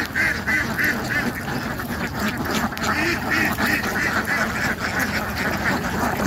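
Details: Ducks quacking, with a few drawn-out nasal quacks at the start, then a softer, continuous stream of overlapping calls.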